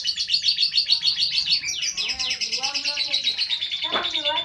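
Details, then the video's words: Pet lovebird kept at home, chattering in fast, shrill, repeated chirps about twice a second, sliding into squeaky, rising and falling twitters and a short harsh note near the end. "Love bird ( rumahan )"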